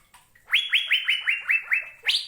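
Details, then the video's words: Asian fairy-bluebird delivering a fast series of seven bright, liquid upslurred whistles, slightly falling in pitch, ending on one higher, sharper note. "Burung Cucak Biru"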